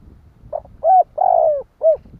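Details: Kích bổi cooing of a spotted dove, played to stir wild doves to answer: a brief lead-in note, a clear coo, a drawn-out sliding coo dropping at its end, and a closing coo, with a low rumbling background.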